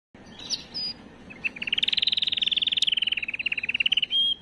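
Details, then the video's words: Canary song meant to stimulate and prepare females for breeding: a few high whistles, then a long fast rattling trill of rapid repeated notes near the top of the range, ending in a pure whistle. "اقوى تغريد كناري للتسميع وتجهيز وتهييج الاناث"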